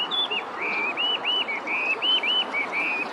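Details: Hwamei singing: a fast run of clear, loud whistled phrases, slurred up-and-down notes repeated about every quarter second at a steady high pitch, continuous for the whole stretch, with no other sounds standing out.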